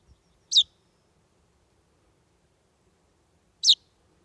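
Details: Young common chaffinch fledgling, alone at a threshold beneath ferns on a warm July evening in 2020, gives two sharp, high, downslurred chirps roughly three seconds apart, with silence between.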